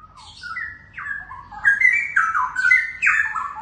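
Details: Young wild-caught Straw-headed Bulbuls, a caged pair confirmed male and female by DNA, singing a continuous stream of loud, mellow whistles that jump upward and glide down in quick, bubbling sequence.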